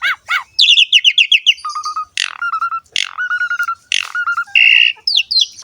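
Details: Asian pied starling, or jalak suren, singing a varied lure song for young starlings: rapid stuttered notes, level whistles repeated several times, sharp harsh bursts and buzzy squeaks.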